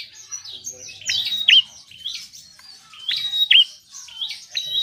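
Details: Bar-winged prinia in brisk song for motivating quiet birds, sweeping chirps climbing to a long whistle and a wavering downturned note, repeated twice about two seconds apart.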